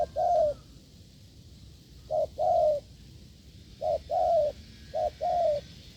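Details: Wild spotted dove heard cooing strongly while a decoy was tested. Low two-part coos sound four times, a quick note and then a drawn, arching one, spaced a second or more apart, with faint hiss.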